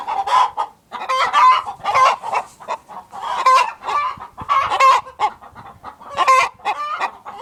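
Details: Inside a productive hen house, a flock of hens keeps up overlapping clucks and drawn-out, quavering squawks that come roughly every second, with a faint rustle in the background.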